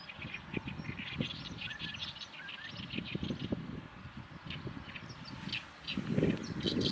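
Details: Oriental reed warblers, many summer visitors on a riverbed before breeding, singing their harsh 'gyogyoshi' song: rapid scratchy chattering phrases repeated, with low rumbling background noise.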